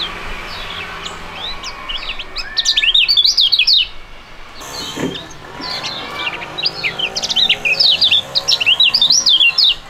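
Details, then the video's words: Two young songbirds of fighting type, kept for singing contests in Indonesia, singing in duet; two loud bursts of rapid, jumbled, zigzagging high whistles and chatter, with quieter thin notes between them. "STORING DUET PRUGUT DUA BURUNG MUDA YANG SANGAT ISTIMEWA"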